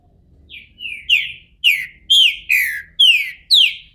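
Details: Captive Green-winged Saltator, bald as it comes out of moult, Brazil: two soft lead-in whistles swell into a strong, regular series of sliding downward notes roughly every half second.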